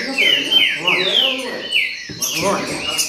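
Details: Green-winged saltator in baderna style, a quick series of four or five loud downslurred whistles, followed by a short break and quieter notes, with low murmuring underneath.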